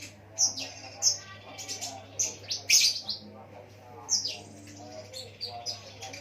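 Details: Ruby-cheeked sunbird singing a song loaded with lovebird mimicry to draw other sunbirds into song: piercing high squeaky notes every half second or so, mixed with rapid twittering, over a constant low electrical hum.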